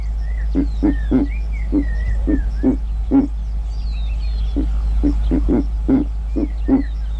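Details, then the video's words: A Verreaux's eagle-owl (giant eagle owl) in Kruger National Park gives deep, grunting hoots, about two a second in an uneven series, over a steady low hum with small birds chirping. ""Sights And Sounds" Of The Giant Eagle Owl"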